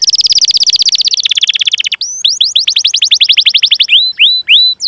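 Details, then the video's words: Canary song with cuit-cuit chirps and rolls, used to prompt young canaries to sing. A fast even trill drops slightly in pitch, then gives way to quick upward-hooked whistles and slower rising swoops. "Masteran Suara Burung Kenari Gacor Panjang cuit cuit Ngerol untuk Pancingan Kenari!"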